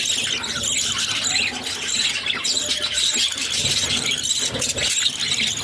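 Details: Six captive budgerigar chicks being fed by their mother: a dense, continuous high-pitched squealing chatter with rapid raspy notes overlapping throughout, no pauses.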